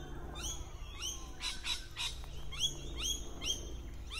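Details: Well-camouflaged lorikeets hidden in a tree: rapid shrill screeches mixed with quick upward-sweeping squeaky notes, several in four seconds, over a low constant hum.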